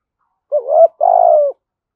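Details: A single coo phrase from a spotted dove of the thổ sấm voice style: a short wavering lead note, then a longer steady, resonant hoot that tails off downward. Quiet before and after.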